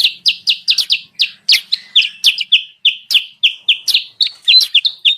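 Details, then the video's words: Sooty-headed bulbul lure call, used to draw wild birds down: rapid, sharp chirps repeated about three times a second, each a quick downward-bending note, some doubled, sounding busy and excited without other sounds. "suara pikat burung kutilang sutra"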